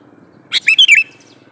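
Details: Sooty-headed bulbul male calling to a female, one crisp phrase of a short note followed by three quick gurgling slurred whistles.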